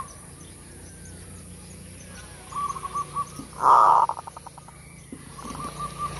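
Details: Zebra dove singing a full kerot lure song: a run of soft level coos, then a loud harsh burst trailing into rapid clipped pulses, followed by another string of gentle repeated coos.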